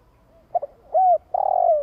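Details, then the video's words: Spotted dove's long coo, used to get a decoy bird calling: a faint soft note, a quick double note, a bright arched coo, then a long stuttering coo that glides downward. "Chim cu gáy tiếng gù dài kích bổi nge là gáy."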